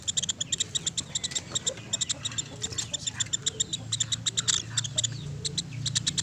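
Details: Woodpecker calling in steady, quick, high-pitched clicking series, nearly continuous, with a low background hum beneath.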